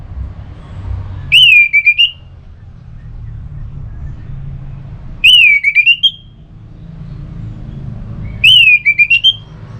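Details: Orange-headed thrush singing ngeplong style to prompt a rival to answer: three short whistled phrases, each a falling note followed by quick stuttered pulses, repeated about every three and a half seconds over steady low traffic-like rumble.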